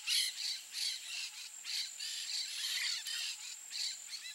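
Peach-fronted Parakeet giving harsh, raspy screeches in quick, overlapping bursts several times a second, a steady grating chatter throughout.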